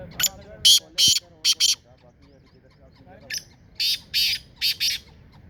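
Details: Two grating call phrases of a black francolin in Sindh, Pakistan, each made of five loud, harsh, buzzy notes in a quick uneven rhythm, separated by a short pause with soft background noise.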